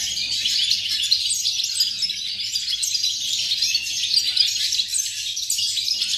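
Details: Rapid high twittering from a European goldfinch, dated 8.11.2018: tumbling chirps and tinkles run together without a break, steady in loudness, with a soft low hum beneath.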